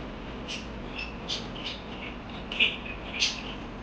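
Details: Parakeets chirping: short bright chirps and squeaks, loosely spaced and irregular, with a few louder notes near the end over a steady background hiss.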